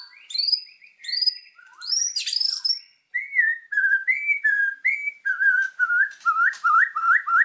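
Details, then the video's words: A white-rumped shama's master song for training birds: sharp high chattering bursts, then a steady series of short rising whistled phrases, each repeated with slight changes, about two per second. "MASTERAN MURAI BATU GACOR !!! FULL ISIAN LANGSUNG EMOSI !"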